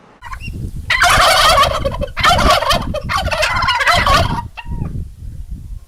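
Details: Turkey gobbling loudly: three harsh, rapid rattling gobbles burst out one after another over about three seconds, then quieter clucks and shuffling follow.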